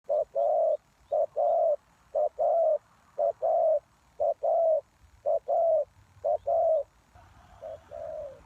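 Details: Spotted dove calling as a lure for wild doves: loud paired coos, a short note then a longer falling one, repeated about once a second, with faint high chirps above.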